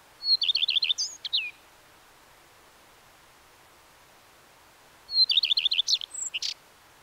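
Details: Song of the common redstart, given twice about five seconds apart, each phrase a high lead-in note, a rapid string of downslurred chirps, then a scratchy jumbled ending.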